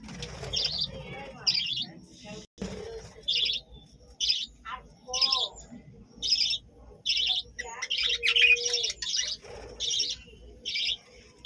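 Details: A budgerigar colony at a village home chirps. Scratchy, warbling notes repeat steadily, roughly every three-quarters of a second, for over ten seconds. A few softer squeaky calls weave between them, over a quiet background.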